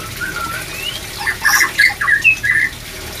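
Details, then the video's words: Short burst of white-rumped shama song for raising breeding drive: a soft rising whistle, then a string of loud, slurred chattering notes roughly four per second. "TERAPI MENAIKAN BIRAHI MURAI BATU INI"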